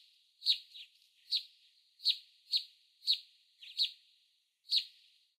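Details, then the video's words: Canyon wren calling: a series of sharp, bright, slightly buzzy 'jeet' notes, eight or so, spaced unevenly about half a second to a second apart, some doubled, against a clean, quiet background. "Canyon Wren call"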